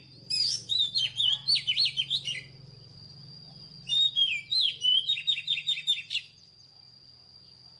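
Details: Oriental magpie-robin, wild-caught, delivering two energetic bouts of loud whistles, rising and falling slurs and fast repeated notes, each lasting about two seconds; a faint constant high tone underneath.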